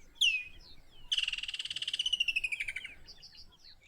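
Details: Woodland Kingfisher in Kruger National Park: a sharp, high single note, then a fast, ringing trill that slides gradually downward and ends after about two seconds.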